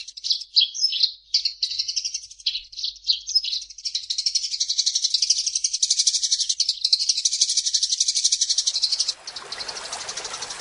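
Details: Eurasian tree sparrow with varied chirps leading into a long rapid rattling chatter; broadband rushing noise rises near the end.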